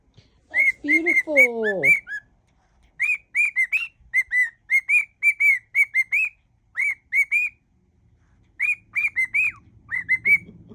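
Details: Pet cockatiel singing a mash-up of songs: a few whistles, then a harsher, downward-sliding note. Next comes a long string of short, clear whistled notes in phrases with gaps. Faint low sounds are heard at the end.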